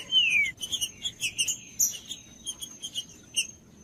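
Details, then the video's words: Green-winged saltator singing, the recording meant to warm up a cold bird: a clear descending whistled slur opens, followed by a quick run of short bright whistled notes, with a thin steady high whine in the background. "TRINCA-FERRO CANTANDO/ESQUENTAR TRINCA FERRO FRIO"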